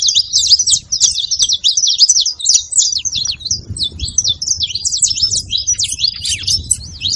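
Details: Song of saffron finch, played to rouse a quiet canary: fast, crowded chatter of high twittering notes and short trills, steady throughout, over soft low background rumble.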